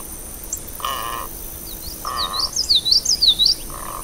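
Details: Great egret uttering three coarse, grating croaks spaced about a second apart, while a small bird adds a run of thin, high squeaky chirps near the end.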